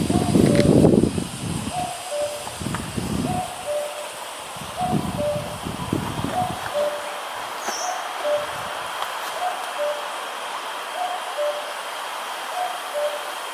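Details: A distant Common Cuckoo in Vietnam gives its classic two-note 'cu-coo', the second note lower, repeated about every one and a half seconds, with low rumbling wind early on.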